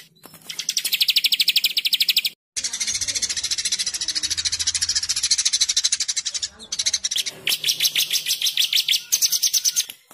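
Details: White-rumped shama master song of tight, rapid 'tembakan' (rapid-fire) phrases, used to train other birds to learn fill-in notes. Dense, fast-repeated high, sharp notes pour out in long bursts, broken by an abrupt silent gap near two and a half seconds, then pulsing, stuttered volleys.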